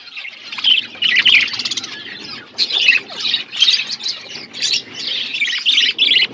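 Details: Budgerigars in an outdoor aviary, a flock chattering with harsh, buzzy chirps and warbled squawks in bursts, overlapping and continuous for several seconds.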